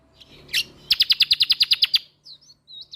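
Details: Lombok white-eye singing full bursts for songbird training: one sharp chirp, then a quick, regular series of about eleven high bright notes, followed by faint thin high twitters.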